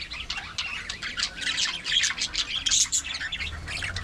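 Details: Crowded chatter from an aviary colony of budgies: sharp squeaks and fast warbling twitters pile up and swell toward the middle, with a soft low rumble at the end.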